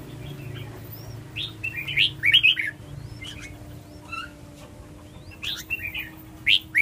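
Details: A red-whiskered bulbul delivers a run of quick, chirpy warbled notes, clustered around two and a half seconds in, then brief scattered phrases later, over a soft steady hum.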